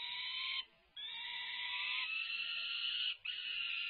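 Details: Peregrine falcons on the UC Berkeley nest livestream, feeding with tugs of war on 24 May 2024: long, raspy wailing screams, one brief break, then a sustained harsh cry lasting over two seconds.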